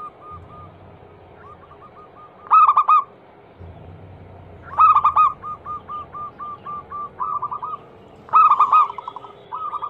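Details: Zebra dove used as a calling lure for other doves, described as a female calling males: three loud stuttering bursts about three seconds apart, each followed by a rapid string of soft, evenly repeated coo notes.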